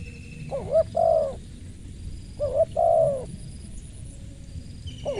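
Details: Repeated cooing phrases from a spotted dove, roughly every two seconds: a stuttering pair of short rising notes, then a drawn-out soft, downward-curving coo, with light background hiss.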